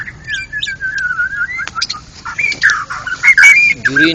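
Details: White-rumped shama, a national champion contest bird, singing in loud ngeplong style at a songbird contest: sustained clear whistles wavering near one pitch, then bright rising and falling slurred notes, with a low background rumble.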